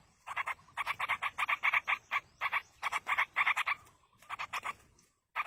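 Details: Yellow-vented bulbul chicks, fed by a parent in the wild, give insistent scratchy notes in rapid, steady pulses, grouped into runs with short breaks.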